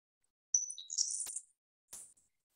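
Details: Grasshopper sparrow (Ammodramus savannarum) song: a few high, tinkly introductory notes, then a long, thin, insect-like buzz, audible up to about 100–125 m away, so the bird is likely fairly close; Colorado.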